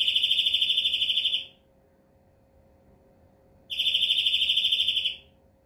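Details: Two rapid, rattling high trills from a European greenfinch, each about one and a half seconds long, separated by over two seconds of silence.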